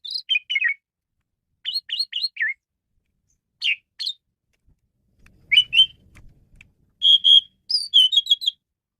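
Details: A male Asian pied starling gives a varied song for luring and training birds: short groups of descending squeaky notes, sparse pauses, then a clearer steady whistle followed by quick chirps.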